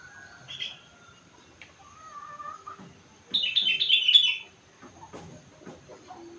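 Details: Young sooty-headed bulbul aged four months delivering rengganis-style mimicry: soft whistled notes, then a loud rapid cascade of high chirps, followed by faint clicks.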